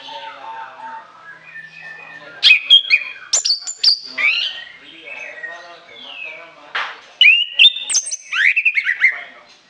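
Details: An orange-headed thrush, recorded as a lure, starts with soft subdued warbling, then breaks into loud separated phrases of sharp whistles and rising slurs with brief gaps between them.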